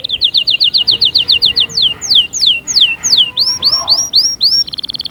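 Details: Canary singing to urge other canaries into song: a fast run of repeated high notes, then slower falling swoops, then rising upslurred notes, ending in a short buzzy high trill.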